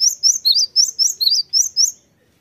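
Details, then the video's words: Cinereous tit: a rapid phrase of eight high, sharp whistled notes, rising and falling slurs in alternation, ending abruptly into silence. "sekali putar langsung nyaut gacor. gelatik batu"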